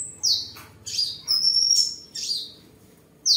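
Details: Seven-colour sunbird, a tame bird singing, displaying and sparring at a home in Đồng Nai, Vietnam, 23 July 2022; a high falling note, then a drawn-out thin whistle and a buzzy trill, over a low hum.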